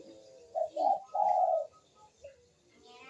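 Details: Barbary dove cooing, played as a lure to get lazy doves to coo: one short, low, two-part coo rising and then held, followed by a faint trailing note, in a quiet small room.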